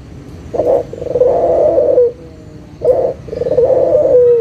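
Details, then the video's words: Barbary dove lure call, local type, meant to get lazy doves cooing again: two phrases, each a short opening note followed by a long, purring, low coo ending in a slight downward slide. "SUARA PIKAT PUTER LOKAL GACOR_SUARA PANCINGAN BURUNG PUTER MALAS BUNYI AGAR BUNYI LAGI"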